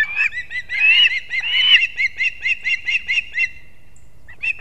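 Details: Osprey at its nest in Kurzeme, Latvia, at 6:40 am on 3 September 2024, the male bringing two fish to the young: loud, ringing whistled notes, then a slowing series of short chirps, then near silence.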